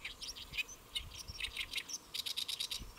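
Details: Lotus-leaf perched great reed warbler at Saemangeum, Gimje, Korea, midday in early July 2024; creaky, squeaky notes followed by a quick run of six or so repeated harsh chirps.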